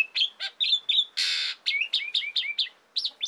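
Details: Asian pied starling, singing vigorously for songbird training: a few sharp whistles, a dense harsh screech lasting about half a second, then a fast series of downslurred whistled notes.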